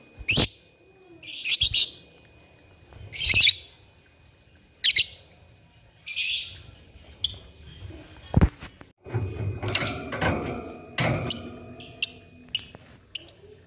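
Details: Lovebirds calling back and forth in the morning, several separate harsh, buzzy chirping bursts about every one and a half seconds, followed by a busier stretch of squeaks mixed with low background rumble.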